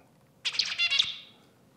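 A male zebra finch's courtship song: a quick burst of nasal, buzzy, harmonic-rich notes lasting well under a second, against a quiet background.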